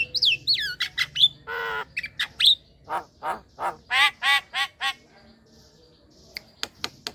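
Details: Sound of a black-winged myna played to lure young mynas into calling: looping whistles and clicks, a harsh squawk, then a steady series of raspy notes, ending in sparse clicks.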